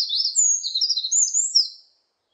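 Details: Eurasian wren song recorded in 2020: a loud, rapid tumble of very high trills and sharp warbled notes lasting under two seconds, with nothing else heard.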